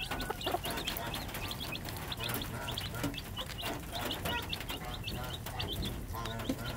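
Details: Hen with three-day-old chicks, the chicks giving a steady stream of short high peeps, a few soft low clucks mixed in over a low background hum.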